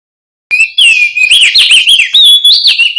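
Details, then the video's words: Loud, clear song of a male mountain white-eye from West Nusa Tenggara: fast, continuous warbling of shrill whistled slides and trills, rising and falling without pause for over two seconds. "Suara asli burung Opior jambul jantan GACOR"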